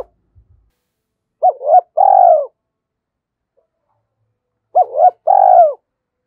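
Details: Stimulated decoy spotted dove giving thổ sấm style coos: two phrases, each a quick pair of rising-falling notes running into a longer falling coo, with a few soft low taps at the start.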